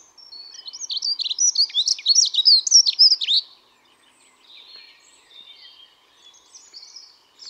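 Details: Dunnock singing a fast, high, scratchy warbling phrase of about three seconds, densely packed jangling notes, followed by fainter distant bird notes and quiet pauses.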